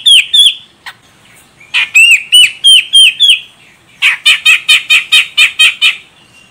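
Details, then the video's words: Female grey-cheeked bulbul from Medan, Sumatra, calling to set off a male's song: two whistles, a row of five downward-bending whistled notes, then nine quick harsh chattering notes in an even rhythm. "Cucak Jenggot Medan Betina Ini Bikin CJM Jantan langsung Koar Koar"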